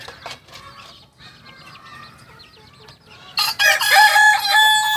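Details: Kokok Balenggek cockerel, two months old, bred in West Sumatra for crowing contests, bursts into a loud, rich, slightly descending crow over the last second and a half after faint murmuring sounds.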